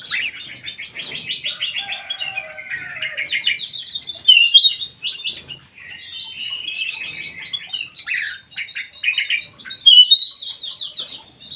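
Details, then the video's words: Aviary bulbul singing almost without pause: long runs of rapid chattering notes mixed with loud, ringing whistled phrases that keep repeating through the passage. "KUTILANG EMAS MATA PUTIH SUPER GACOR"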